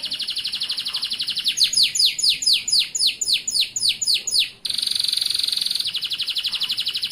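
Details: Local male Atlantic canary singing as a tutor model for young canaries: fast high trills of repeated downward-sweeping notes, then a switch to a flat buzzy rolling trill.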